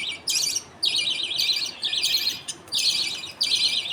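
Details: Father budgerigar feeding his two chicks millet paste in a colony, the mother and other budgies nearby. Loud, raspy chirping bursts come in quick succession, each about half a second, separated by brief pauses.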